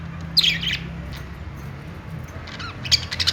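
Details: Budgerigars making happy sounds, here sparser. A short burst of scratchy chirps comes early, then a quieter pause, then another cluster of thin squeaks near the end, over a steady hum.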